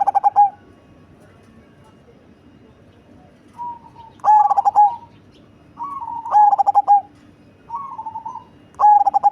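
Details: Deep-voiced, large Cemani zebra dove: a quiet start, then four loud phrases of fast pulsed coos ending in a long tone, interleaved with softer wavering coos.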